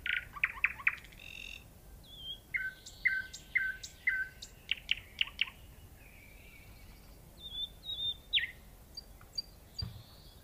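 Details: Nightingale singing varied phrases: quick repeated chirps, clipped whistled notes and a thin high whistle, over a steady background hiss.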